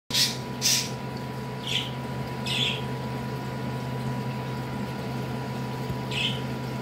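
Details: A pet parakeet throwing a major tantrum gives five harsh, raspy squawks, two quick ones at the start and the rest spaced out, over a steady low household hum.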